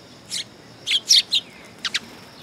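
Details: Sparrows gathering on a raised platform at a Tenmangu shrine on 3 September 2022, giving a few short, bright chirps in small clusters, with quiet pauses between them.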